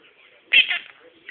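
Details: A 1½-year-old male pet monk (Quaker) parakeet mimics speech, giving a quick, high, nasal "peekaboo" repeatedly.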